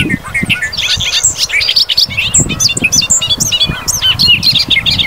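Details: A Bobolink in grassland and fields in Wisconsin sings a bubbly, gurgling, tumbling song of rapid metallic, tinkling notes jumping high and low without pause, over a soft low rumble of wind.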